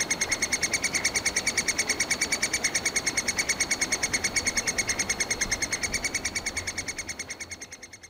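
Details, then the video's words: Nestling Three-toed woodpeckers squealing inside their nest hole in a Yekaterinburg forest park, begging almost all day for food brought by both parents; fast, evenly spaced piercing cheeps, roughly three each second, fading slightly toward the end. "Птенцы ТРЕБУЮТ ЕДУ, Трехпалый дятел"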